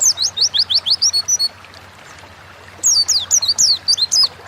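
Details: Oriental white-eye singing in the 'gacor ngalas' style, used as a prompt to get caged birds singing: a quick series of sharp, high, falling whistles, then over a second of near silence, then another fast burst.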